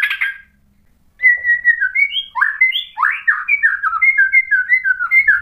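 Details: White-rumped shama song used as a lure to provoke another bird into singing: after a second of silence, a fast run of clear whistled phrases, short slurred notes rising and falling, some swooping upward, delivered almost without pause.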